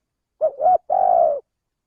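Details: Male spotted dove call played as a lure for trapping birds: a three-part coo, two short rising notes, then one long, steady, mellow hooting note, clean and without background noise.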